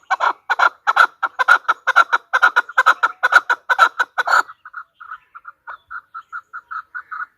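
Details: Loud, sharp chuck notes from a female chukar partridge, about three a second, break off suddenly and give way to softer, evenly spaced clucks.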